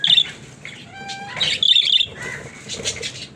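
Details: Pet budgies with a scratchy warble, then a short clear whistled tone with harmonics, followed by louder buzzy chatter and softer squawks fading toward the end.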